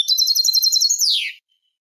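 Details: Eurasian goldfinch singing a Malaga copla style phrase from a tutor recording for teaching goldfinch and hybrid chicks: a rapid bright tinkling trill of repeated high notes ending in a slurred downward glide, clean and without background noise.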